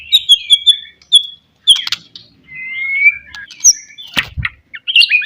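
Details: Lure song of a white-rumped shama to provoke rivals: a rapid series of high thin whistles, a long smooth whistle, scattered sharp chips and a brief low thump.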